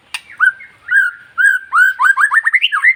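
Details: White-rumped shama of the long-tailed type, sung to excite other shamas: a sharp click, then rich whistled notes that grow faster into a run of rising slurred whistles.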